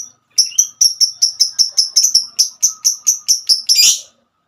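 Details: Female lovebird in the long 'ngekek' trilling style: about fourteen sharp, high chirps in a steady run, each about a quarter second apart, quickening and ending in a dense, harsh burst. No other sounds.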